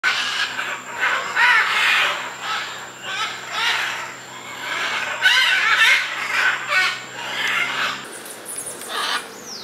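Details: A flock of scarlet macaws feeding in almond trees and cracking almonds at Puerto Jiménez, Osa Peninsula, Costa Rica, gives harsh, raspy squawks about once a second, rough and uneven, over a steady high insect whine and a low hum.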